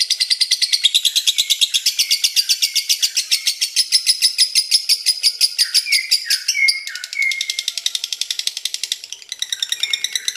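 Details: Lovebird's drawn-out 'ngekek' chattering: a harsh, high-pitched pulsing trill of about three bursts per second, with brief breaks and squeaky downslurred notes slipped in midway.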